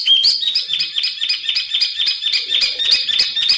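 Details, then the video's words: Bird song of varied filler phrases for tutoring caged songbirds such as magpie-robins and leafbirds: rapid chattering high notes repeated about four times a second, with short whistled bursts and mixed sharp trills. "BURUNG FULL ISIAN TEMBAKAN Untuk Masteran Murai batu ,Cucak ijo ,Kacer"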